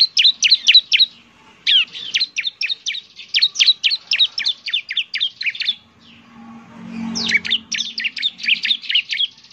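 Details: Bar-winged prinia (ciblek) lure song: quick rhythmic series of high, snappy down-slurred chirps in three bursts, with a low rumble during the second pause.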